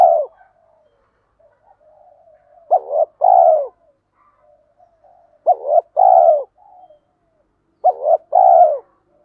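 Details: Male and female spotted doves calling to stir up trained doves: three clear phrases, each a quick double note followed by a longer drawn-out descending coo, spaced roughly three seconds apart, low soft murmuring in the gaps.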